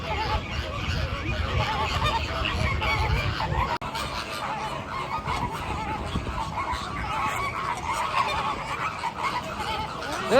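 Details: Flamingos, one seen standing on one leg, giving a dense chorus of nasal, goose-like honks that overlap continuously, with a low rumble of wind or handling noise and people talking nearby.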